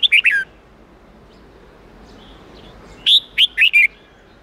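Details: Red-whiskered bulbul training song, 8-9-10 note style, meant for young birds to copy. A brief cluster of three whistled notes is followed after a long pause by four separate ringing, slurred whistles.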